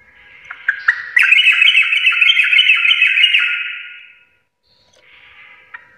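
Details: Energetic sooty-headed bulbul song in the "full Garuda" style: a few sharp introductory notes, then a continuous loud, rapid warbling trill lasting about three seconds, ending in a soft, fading phrase.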